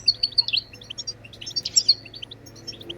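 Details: European goldfinch song, played to stimulate other birds to sing: rapid tinkling twitter of high liquid notes with a few buzzy trills, steady and dense throughout.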